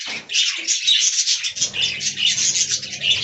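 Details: Budgerigars in an aviary colony, described as talking: a dense mass of high, scratchy chirps and warbles that runs without pause, with a low steady hum underneath.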